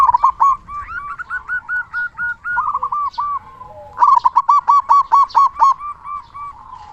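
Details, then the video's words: Loud-voiced local zebra dove, played to stimulate and prompt other doves to call: a steady chain of evenly spaced, rounded coo notes, then a faster, stronger run of about a dozen beats. "Perkutut Lokal Gacor Suara Besar Pancingan Burung Perkutut Agar Cepat Bunyi"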